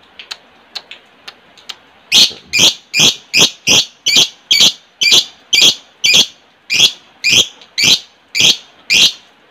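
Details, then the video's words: Lovebird chatter, a lure for ngekek training: a few faint ticks, then a steady series of loud, harsh, high chirps, each about every half second, continuing for seven seconds in a quiet room. "pancingan love bird ngekek"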